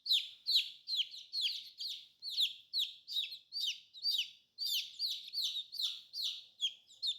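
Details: Colorful new baby chicks cheep steadily, giving sharp, descending high notes about twice a second, some doubled, in a quiet setting.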